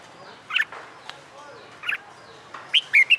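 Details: Wild-caught red-whiskered bulbul, kept in a cage for about a month and being trained to sing fighting song. Brief, bright chirped phrases come at about half a second, two seconds and three seconds, separated by quiet gaps with faint background noise.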